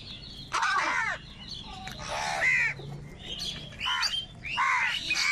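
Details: Many wild crows crying and crowing while fighting over food, a busy chorus of overlapping rough caws and cracked, nasal cries in bursts, several voices calling at once.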